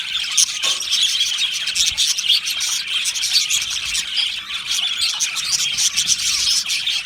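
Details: Australian budgerigar aviary colony chirping: a continuous high, scratchy babble from many birds, with quick tweets and brief squawks rising and falling in loudness.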